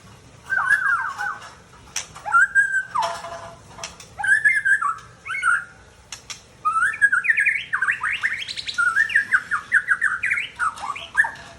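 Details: Mature male white-rumped shama from Tangse, Aceh, singing a varied run of whistled phrases, harsh chatters and rapid rising notes, loud and close.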